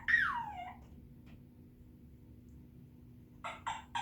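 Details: African grey parrot whistling indoors: one loud whistle sliding down from high to low, then a pause and three short clipped notes near the end, with a faint steady hum behind.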